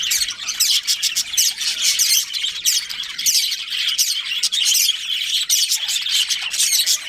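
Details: Breeding-pair budgerigars in a colony, heard as a loud, continuous high-pitched chatter of chirps, trills and squawks from numerous birds.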